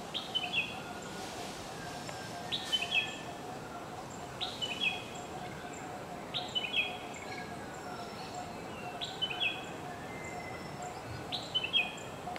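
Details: Red-whiskered bulbul singing short, bright warbled phrases of a few rising and falling whistled notes, repeated roughly every two seconds, over steady hissing background noise.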